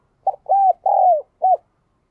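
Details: Spotted dove cooing in the "đồng kim" voice style, also called "đồng chuông", described as pleasant and resonant: one four-part phrase of a short low coo, two long slurred coos sliding downward, then a clipped final coo, in a quiet setting.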